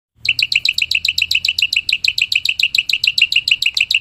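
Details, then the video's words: Wild black-winged myna singing, offered as a lure sound: a fast run of clipped, chirping notes, about three to four per second, steady and bright for four seconds, with a faint low hum underneath. "Suara burung jalak putih"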